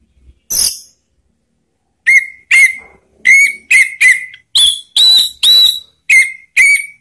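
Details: Orange-headed thrush call meant to make other birds sing: after a brief high buzzy note and a pause, a series of short whistled notes, some dropping and some steady, repeated about twice per second, with silence between.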